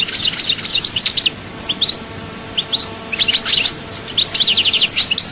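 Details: European goldfinch singing at Souk Ahras, Algeria: loud, fast twittering phrases of sharp high notes and trills, a quieter gap of scattered notes, then another rapid tinkling burst.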